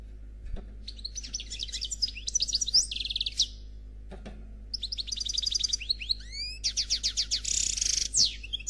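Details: Noir Khalwi European goldfinch delivering a flawless song in two long bursts of rapid high twittering, rising slurred notes and dense buzzy trills, separated by a brief pause. Faint low knocks sound beneath.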